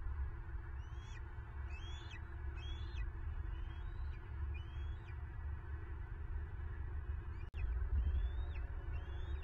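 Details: Bald eagle at a Southwest Florida nest, filmed on camera on 9 March 2023 while a female seizes prey: quick, piping chirps, each rising then sliding down, given about three per second, with a brief knock and constant low wind roar.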